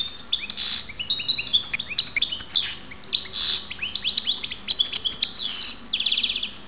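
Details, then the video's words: Goldfinch from Ptolemaida, Greece, delivering a fast, jangling stream of twittered notes, liquid chirps and short buzzy rattles, with a dry trill near the end; steady low hum in the background. "karderina Goldfinch"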